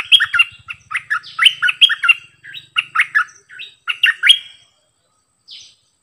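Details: Caged bulbul decoy performing many songs in a row: a steady string of bright, bubbling whistled phrases, each a quick up-and-down flourish, repeated for over four seconds before falling quiet apart from one faint note.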